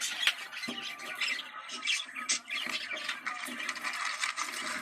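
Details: Budgerigars in a breeding-stimulation recording, used to get birds into mating condition; dense, busy chattering and warbling with scratchy squeaks and sharp clicks running throughout, somewhat muffled and noisy.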